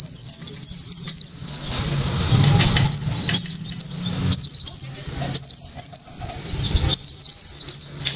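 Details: Piercing 'tembakan' song of a white-eye, used to provoke rival white-eyes and to tutor songbirds: four separate bursts of very high, quick chirps, each lasting about a second, with short quiet gaps between them.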